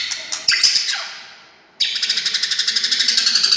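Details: White-rumped shama song aimed at making quiet shamas answer: a descending buzzy sweep, a short silence, then a fast, even rattle of harsh pulses repeated about four times per second.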